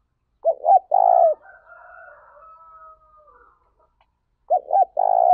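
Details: Spotted dove lure bird, used to train and excite other doves, gives a rolling coo phrase followed by a faint drawn-out tone, then starts another cooing phrase.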